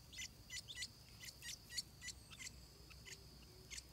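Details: Nestling stripe-throated bulbuls about to fledge, giving quick high squeaky chirps in uneven bursts, several per second, against a constant shrill insect hum.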